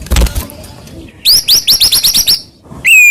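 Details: White-rumped shama song meant to provoke rival shamas into singing: a low thud at the start, then a rapid series of about nine sharp upslurred notes, followed by a single clear whistle.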